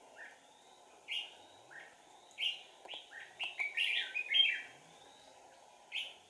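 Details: Red-whiskered bulbul decoy, trapping session of 4 April 2019: whistled notes gathering into a dense, loud warbling phrase, then a single closing whistle after a pause.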